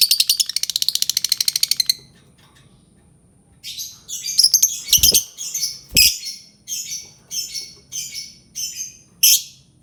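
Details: Albino lovebird chattering: a fast rattling trill for two seconds, a pause, then a series of harsh squawky chirps roughly twice a second, with a couple of low thumps.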